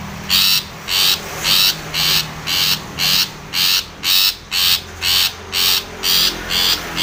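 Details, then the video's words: Long-tailed shrike in a long, regular run of about thirteen harsh, grating notes, roughly two per second, meant to provoke a rival bird. "SUARA cendet gacor MEMANGGIL LAWAN"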